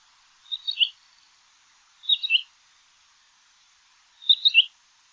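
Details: Common quail giving its sharp three-note call three times, each quick triplet of high, clipped notes separated by about one and a half seconds of silence.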